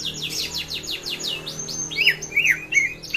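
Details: Greater green leafbird song used as a lure to make other birds sing: a run of rapid descending chirps, then slurred whistled notes dipping and rising, with a low hum beneath.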